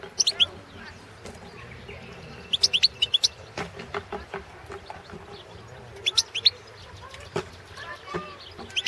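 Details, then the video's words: Balkan goldfinch (Carduelis carduelis balcanica) competition song entry, 2017 World Championship in Goldfinch Song, held by a Serbian breeders' association. Short bursts of high, tinkling twitters come at the start, around the third second and near the sixth, over a constant noise hiss with scattered clicks. "Pesma štiglića"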